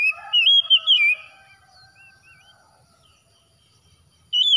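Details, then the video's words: Early morning oriental magpie-robin gives a quick burst of bright, rising and falling whistles. Faint soft chirps follow during a long quiet stretch, then a final loud whistle. "TERAPI KACER HABIS SUBUH"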